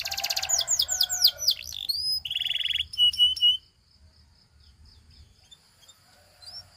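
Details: Caged canary delivering a short burst of song: fast falling whistles, a buzzy rattle and a pure sustained whistle, then breaking off into near silence for the rest of the clip.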